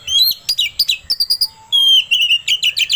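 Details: Oriental magpie-robin song used to excite another bird into singing: loud, continuous, varied whistles and rapid chips with barely any pause, ending in sustained rising whistled notes.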